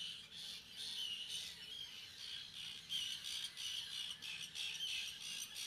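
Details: Colony of common terns, juveniles among several hundred breeding pairs, Seaforth Local Nature Reserve, Liverpool, late August 2015; dense chorus of shrill, grating calls, rapid and irregular, with thin whistled notes mixed in.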